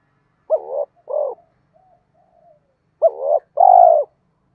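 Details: Spotted dove coos used by bird keepers to provoke sluggish cage birds into calling. Two deep two-part phrases sound about two and a half seconds apart: a clipped upswept note, then a longer rounded coo.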